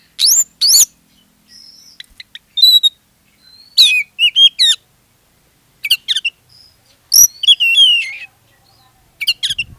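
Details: Singing Oriental magpie-robin, kacer, played as a lure so other magpie-robins join in; bright whistled notes, upswept chirps and rapid scratchy trills in bursts, with brief quiet gaps between phrases.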